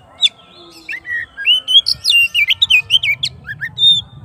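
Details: Singing oriental magpie-robin calling out to its rival: quick sequence of clear slurred whistles and squeaky chirps, varied and tumbling, with a soft low background murmur.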